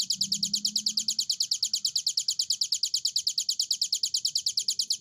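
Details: Vigorous, long-running hill prinia song: shrill, rapid notes repeated about three times a second in a very steady rhythm. A faint low hum is audible early on.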